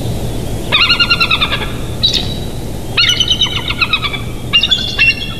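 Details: Bald eagle of a nesting pair in Big Bear Valley, live nest cam, 8 July 2023, 07:57; rapid series of shrill, piping chatter notes in two long runs with brief squeaks between, over low steady hum.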